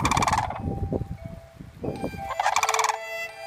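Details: Sandhill cranes calling while dancing, with a six-year-old child present. Two loud, rolling, trumpeting bursts open and close the clip, and excited human speech fills the gap between them.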